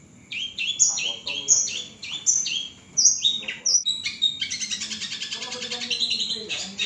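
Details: Long-tailed shrike singing to draw replies from other shrikes: varied whistled and squeaky phrases, some sliding down in pitch, then a fast, dense, rattling trill over the last few seconds.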